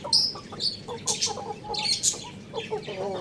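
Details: Young rooster feeding on rice, making brief soft chirping notes in quick succession, accompanied by crisp tapping and clicking sounds of pecking.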